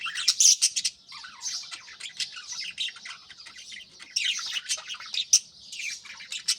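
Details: Morning chorus of caged budgerigars, busy overlapping warbling and chirping, harsh clicky notes and squeaky chirps crowding together with loud bursts at the start and near five seconds.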